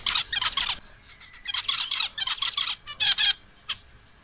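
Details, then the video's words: Calling to a female, a male zebra finch gives short, buzzy, scratchy bursts in quick succession, several tight clusters of harsh nasal notes, ending with a single isolated chip. "the sound of a male zebra finch calling a female bird"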